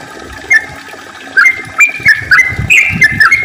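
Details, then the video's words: Yellow-vented bulbul's lure song for drawing other bulbuls into song: after a brief pause, clear whistled, liquid notes come in a quickening series, with faint low knocking in the background. "kicau trucukan gacor ropel panjang ampuh untuk pancingan trucuk biar aktif bunyi ropel dan gacor"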